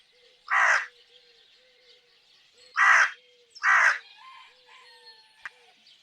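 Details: Crow giving three rough, harsh caws, a single one followed by a close pair, over soft steady whistled notes from other birds and faint chirping.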